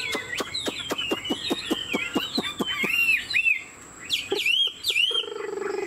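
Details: Caged Chinese Hwamei, around 90% pure-bred, singing with wing play. A burst of rapid clicking taps opens, followed by looping whistled slurs and a few sharp upward notes.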